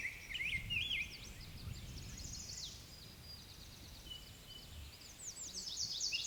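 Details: Black-and-white Warbler singing its loud, hearty, thin, high, squeaky weesey weesey series on breeding territory in Sax-Zim Bog on a foggy, hazy morning, 24 May 2020, with other birds chirping and singing around it and a faint low rumble.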